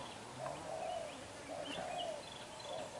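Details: Young black-eyed spotted dove kept as a decoy, cooing intensely in the đập gù style: soft, low hooting coos repeated about once a second, with faint chirps from other birds behind.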